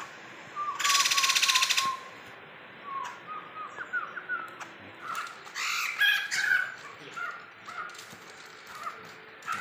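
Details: Caged Sumatran laughingthrush, tame and kept for 20 years, gives one short loud harsh rattle burst, then scattered whistled slurred notes and brief chattering phrases, fairly quiet, in an indoor setting.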